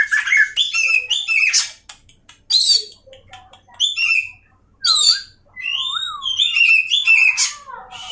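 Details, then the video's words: Singing Oriental magpie-robin from Indonesia: clear whistled slurs, rising and falling phrases and harsh chattering notes delivered in bursts separated by brief silences. "awas Kacer nya jebol emosi dengar suara Kacer ini‼️"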